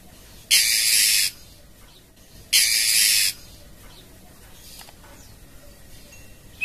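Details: Female oriental magpie-robin calling the male with two harsh hissing rasps about two seconds apart, each under a second long, then quiet background.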